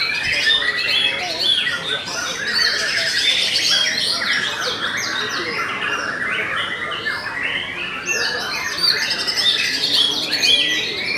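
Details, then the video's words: White-rumped shama, the bird called murai batu Belanda, singing steadily. It gives a dense run of fast, varied whistled and chattering phrases, high and sweeping up and down, and repeats them nearly without pause. Faint human voices sound in the background. "TOP CERR🔥 Murai Batu BELANDA Memang TOP - Masih Stabil"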